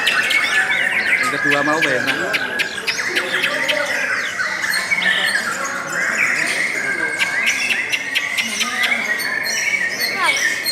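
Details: Long, unbroken lovebird song of harsh squeaks, clicks and thin whistled phrases, some notes sliding up or down, keeping an even, energetic pace from start to finish.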